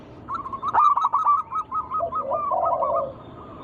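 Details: Local zebra dove singing as a lure for other doves: a steady series of short bouncing notes, about eight in a row, joined by a lower purring coo in the second half.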